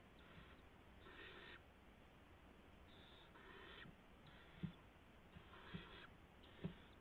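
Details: Barn owls in a nest during a nighttime gopher delivery on March 16, 2016. Broad, grating screeches of about half a second sound at intervals, with a few soft low knocks near the end.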